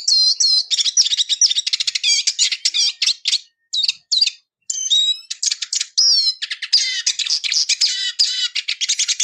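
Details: Loud, close Eurasian siskin song made of fast, dense high twitters, chattering rattles and squeaky slurred notes, a few short gaps around the middle, then a long run of busy buzzy trilling.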